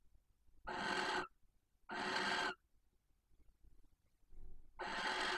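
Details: Female barn owl calling for her mate at a nest box in Cabañeros National Park, Spain, during mating season; three drawn-out hissing screeches, each about half a second, with faint rustling between them.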